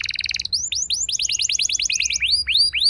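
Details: Canary singing a lure song to set young canaries rolling: a fast pulsed buzz, then a string of bright upward-swept whistles repeated briskly, ending in louder rising notes.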